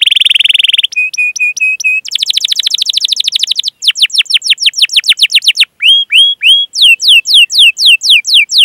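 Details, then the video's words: Canary rolling 'cuit cuit' song for luring young or stalled canaries to sing: a buzzy roll, evenly spaced flat whistles, a fast rattling trill, then loud sweeping down-slurred notes and paired rising chirps. "Masteran Suara Burung Kenari Gacor Panjang cuit cuit Ngerol untuk Pancingan Kenari!"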